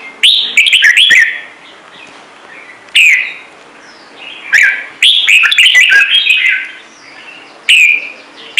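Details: Song of a red-whiskered bulbul, a bird kept in Vietnam for its voice. Strong, rippling whistled phrases repeat in bursts of one to two seconds with brief silences between. Sharp ticks and a soft steady hum run throughout.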